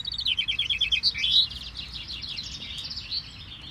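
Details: A chaffinch in a finch-singing contest with 23 finches at Bellem, Aalter, Belgium, on Saturday 4 May 2019 between 9 and 10 am, sings a fast, bright run of notes that tumbles downward, with more chaffinch songs overlapping faintly behind.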